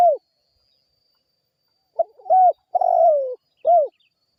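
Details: Spotted dove, used as a lure to draw responses from other birds, gives low, mellow cooing. A short note and a brief stutter lead into a longer, slightly falling coo, then a single closing coo. The background is otherwise quiet.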